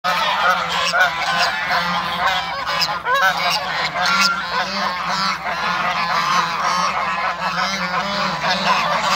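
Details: African and Toulouse geese kept as backyard waterbirds, a flock calling together in a continuous chorus of nasal honks and cackles, overlapping and dense throughout with no pauses.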